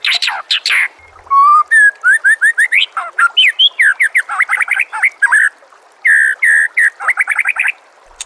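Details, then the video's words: White-rumped shama singing, used as training audio with nature sounds and trickling water; a lively run of rapid, varied whistles and chirps, rising and falling slurs tumbling together with brief pauses. "murai batu anda dengar suara MASTERAN burung seperti ini"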